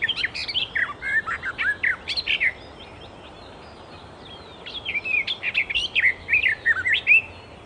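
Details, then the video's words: Song of a wild Icterine warbler: quick, jumbled strings of high whistles and sharp ticks, followed by a pause of over a second and a second burst of rhythmic, repeated chirping notes. "Burung Kicau Alam Liar (Icterine Warbler birds )Burung Icterine Warbler-Burung Kicau"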